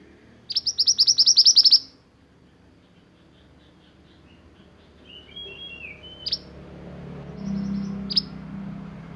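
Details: Sunbird in 'roll nembak' style song prized for tutoring birds: a loud, rapid rattling roll of high metallic notes lasting over a second, then brief twitters and a few isolated sharp chips.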